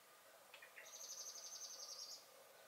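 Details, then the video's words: Garden common blackbird recorded 23 May 2021 while singing and alarm-calling; a couple of soft low clicks, then a sustained high, finely pulsed trill lasting over a second, with hissy ambient noise throughout. "Song and Alarm Calls of the Blackbird"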